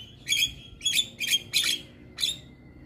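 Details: Black-winged myna song used to train mynas, played in the morning; five loud harsh squawks spaced about half a second apart over a thin steady whistle.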